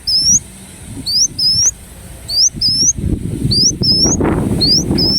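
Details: Ruby-cheeked sunbird song from Indonesia: evenly spaced pairs of rising, piercing whistles, with rumbling background noise building in the second half.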